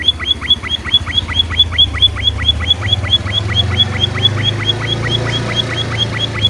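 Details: Pipit finch (emprit) singing energetically: a steady stream of high, sharp chipping notes about twice a second, heard over a loud, continuous low rumble and hiss.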